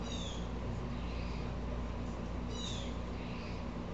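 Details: Two harsh, falling calls from an agitated blue jay, roughly two and a half seconds apart, over continuous low hum; the jay's upset also bothers nearby squirrels.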